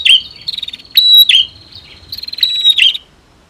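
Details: Female and male prinias duetting, used to stir silent caged birds into singing: high, thin buzzy trills broken by sharp down-slurred chirps, in three quick bursts over three seconds, then quiet.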